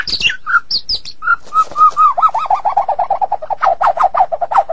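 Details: White-rumped shama of the Medan type singing very actively: a few high falling whistles open, then a long fast string of rounded, repeated mid-pitched notes, about five per second, running to the end.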